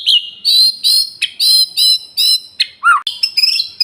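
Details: A male white-rumped shama sings a run of repeated buzzy, rich notes at a steady pace, then a lower swooping whistle and a burst of quick chattering notes.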